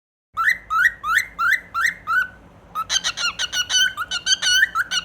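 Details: Cockatiel (Nymphicus hollandicus), song.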